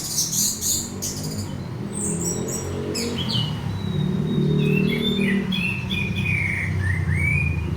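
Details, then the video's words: Orange-headed thrush song played to provoke another bird into singing: varied whistled phrases with rising and falling slurred notes, some buzzy high bursts early on, over a steady low hum. "pancingan anis merah bunyi lanjut teler"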